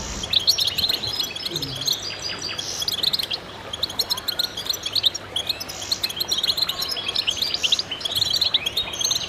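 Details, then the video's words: Goldfinch chorus: many birds twittering and chirping high and fast over one another, with a couple of soft low knocks in the background. "voices a chorus of goldfinches in concert to stimulate birds"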